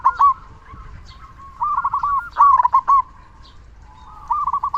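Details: Local zebra dove, sung as a lure to rouse other doves and raise their breeding drive; short loud rolled coo, soft murmuring, then stuttering bubbling phrases, ending with a quieter trill.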